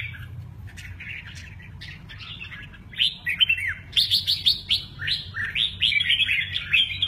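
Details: Red-whiskered bulbul, noted for its lively wing display, giving a lively run of bright, chirpy whistled notes, about two a second, with a low steady hum underneath.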